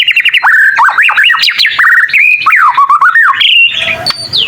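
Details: Young white-rumped shama learning song, said to make other shamas call back; a quick stutter of high notes, then a loud rapid sequence of zigzagging whistles and sweeps, closing with a faint high note.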